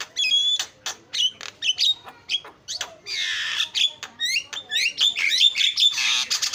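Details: Starling lure song, described as champion singing used to draw other birds into song: a fast, varied run of sharp whistles, rising and falling slurs and harsh, noisy squawk bursts, notes about every half second and growing denser toward the end.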